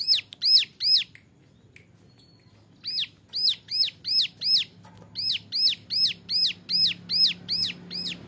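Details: Song of a young male ciblek gunung, or Bar-winged Prinia, in the 'nembak variasi' style kept as a tutor model for other birds: bright, curved, high notes in steady runs, broken by a two-second silence.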